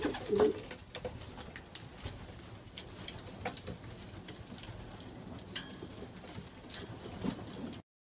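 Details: Racing pigeons in a breeding loft in Oradea, Romania, on March 29, 2015, with chicks 1–2 days old, give soft, low coos amid clicks and rustling.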